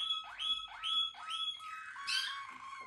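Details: Singing Malinois Waterslager canary producing three quick rising whistled slurs, each climbing then holding, followed by a brighter, fuller warbled phrase.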